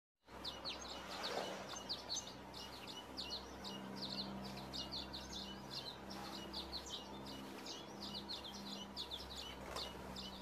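Hawfinch calls: a steady stream of short, sharp, high ticking notes, several per second, over a low background hum.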